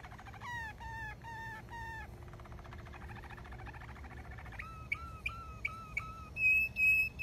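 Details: Malinois canary singing strongly: four repeated rich arched notes, a smooth rolling trill, a string of clear slurred whistles rising in loudness, then a sustained bright whistled note.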